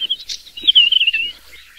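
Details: Desert wheatear, a rare vagrant in Taiwan, gives a brief, thin, scratchy warbled phrase that wavers at a high pitch and lasts under a second, with faint soft ticks before and after it.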